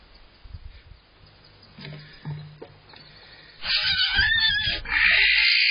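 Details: Barn owl nest box at dawn in April during prey delivery: scraping and low knocks at first, then loud rasping hissing screeches begin and continue to the end.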